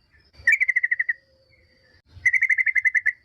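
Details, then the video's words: Yellow-vented bulbul singing as a lure for rival bulbuls: a short stuttering phrase of rapid bright notes, a one-second gap, then a longer run of about a dozen quick chirps. "semua jenis burung trucukan dipastikan nyaut gacor dengar pancingan TRUCUKAN agar bunyi"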